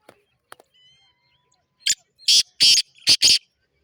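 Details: Black francolin calling in Sindh, Pakistan: a burst of loud, scratchy, grating notes, about five in quick rhythm, preceded by soft distant twitters and a faint whistle from other birds.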